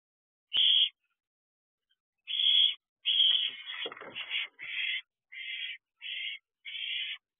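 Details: Barn owl at an owl box at 11:40 pm on 26 June 2023, delivering a rodent to the owlets: eight harsh, hissing screeches of uneven length, the first isolated, then a ragged cluster and several shorter bursts about every second.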